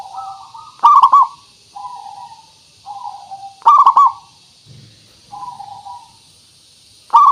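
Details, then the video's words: Local zebra dove, a frequent singer, used as a lure to make other doves answer: mellow low cooing phrases, each opening with a bright stuttered burst of three notes and trailing into level hums, repeated roughly every three seconds. "Suara Pancingan Burung Perkutut Pikat Paling Bagus Supaya Bunyi"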